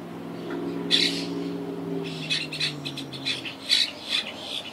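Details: Wild Quaker parakeets in a treetop colony that has been rebuilding since Hurricane Irma in 2017. A loud, grating squawk is followed by a run of rapid, harsh chattering calls over a low, fading drone.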